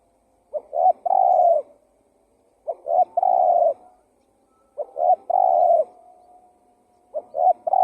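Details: Spotted dove call for luring wild doves: repeated low coo phrases of two short notes and a longer hoot, about every two and a half seconds, otherwise silent.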